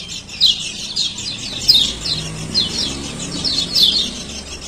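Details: Male kecial kuning (lemon-bellied white-eye) from Lombok, 'ciak ciak' lure calls for reluctant singers; scattered thin, high chirps over a low rumbling background.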